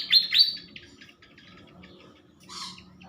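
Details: Morning song of a captive pied fantail held for pairing before release: a few bright, downward-sweeping squeaky notes, then faint thin chirps and a short hissy burst near the end.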